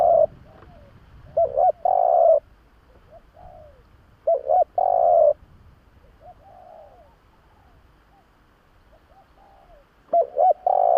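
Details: Spotted dove calling as a lure for doves, loud cooing phrases of paired short notes and long falling coos, interspersed with fainter, more distant dove coos in the gaps.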